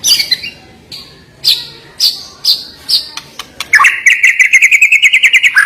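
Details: White-rumped shama (murai batu) giving spaced high thin notes, then a fast rattling trill of repeated notes held steady at one pitch.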